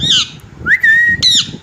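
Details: Pet green parrot, described as talking and naughty, gives loud harsh squawks with a sustained whistled note between them, over a low background rumble.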